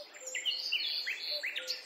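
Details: A European robin sings in a small garden in front of a window, as it does every morning. It gives a quick run of thin, high warbled notes, some sliding up and others trilled, with a faint background hiss.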